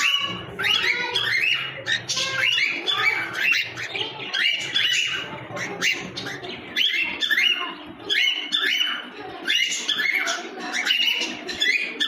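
Cockatiel giving a rapid run of shrill, squawky chirps and warbled notes, almost without pause.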